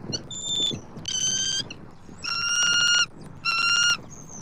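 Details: Southwest Florida bald eagle pair at their nest on October 29, 2024, during one of five food deliveries by the male. Four strong, ringing, harmonic piping calls with short thin whistles between them.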